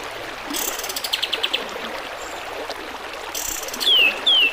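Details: Kapas tembak bulbul singing over running water in a tutor recording: a spaced, pulsing trill of short notes first, a second brief rattle, then two crisp whistles sliding downward at the end.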